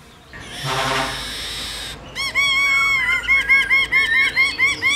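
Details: Black-throated laughingthrush, a caged bird, singing in the forest-voice style. A harsh noisy burst is followed by a fast run of rich, ringing notes, repeated a little more than twice a second.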